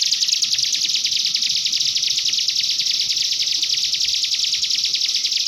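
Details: Common iora singing a canary-flavoured master song meant to coax young birds into singing; dense, high-pitched rapid trill of evenly repeated notes, about three per second, with no pauses.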